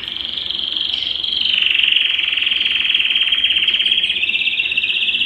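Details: A Belgian canary pours out one long, unbroken rolling trill, high and rapid, with the pitch dipping slightly and then lifting again, a song meant to stimulate males and females. No other sounds.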